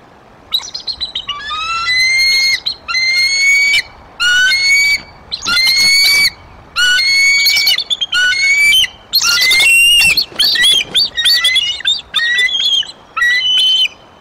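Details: Bald eagle pair at their Decorah nest in April 2023 giving warning calls at a nearby immature eagle intruder. Loud, ringing, slightly rising squealing notes come in rapid stuttering bursts, each series lasting about a second, repeated through the clip.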